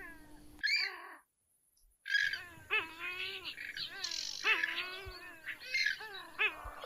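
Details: Grey-headed swamphen (purple swamphen): loud nasal, wailing calls with rich harmonics, each note arching up and falling, repeated in an irregular run after a brief silent break.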